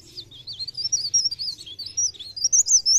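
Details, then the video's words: Chestnut-capped laughingthrush lure song for trapping: a continuous, fast stream of high, slurred whistled notes, rising and falling and repeated several times per second, clear and loud throughout. "Cikrak daun | pre pare | blereng gacor untuk pancingan bunyi"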